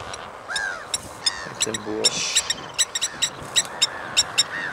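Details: Blacksmith lapwing's hard metallic tink notes come in uneven bursts, mixed with arched, slurred calls of other birds and a brief low harmonic voice-like sound partway through.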